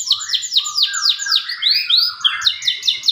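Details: Canary singing as a lure for canaries that have stopped singing: a series of rapid descending swept notes, about five per second, then rising slurred whistles and a quick repeated chirping phrase near the end.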